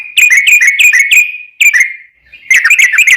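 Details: Sooty-headed bulbul singing a long, lively ropel phrase used to draw song from other bulbuls: a fast burst of ringing whistles, a short pause, a single note, then a denser rapid flurry.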